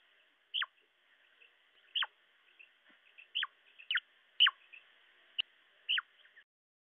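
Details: Female quail call used for hunting quail: short, sharp, high notes that sweep steeply downward, repeated about every second or so in a clean series, with faint soft clicks between them.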